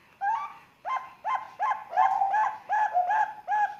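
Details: Three-month-old Bangkok zebra dove chick from Sengkang, Wajo, cooing to encourage young birds to call: soft, rounded, slightly rising notes, given roughly three per second, with brief gaps between some notes.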